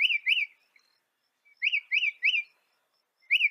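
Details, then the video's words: Northern mockingbird in North America singing repeated arched, whistled chirps, mostly in groups of two or three, with short silences between groups. "Veja o canto do pássaro, ave zombeteira"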